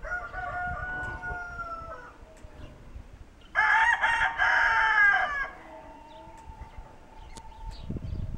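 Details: Kencana hybrid rooster, a homegrown Ameraucana and Barred Rock x Ameraucana cross, crowing in the barn on January 26, 2013: a loud harsh crow of about two seconds mid-clip, with softer clucks and barn noise around it.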